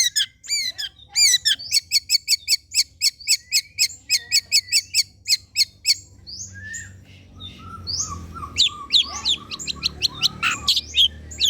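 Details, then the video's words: Long-tailed shrike song played as a lure to get shrikes singing: a long, fast run of repeated loud, sharp chips, then softer whistled notes and a final flurry of harsh, varied high calls. "PANCINGAN CENDET TERBAIK, SEMUA JENIS CENDET PASTI NYAUT BUNYI DIBUATNYA"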